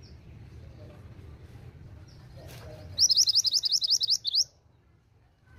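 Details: Female pied bushchat calling to get males to answer, heard as a fast burst of about a dozen bright, sharp chirps over roughly one and a half seconds, the notes slightly uneven in spacing, over faint low rumble.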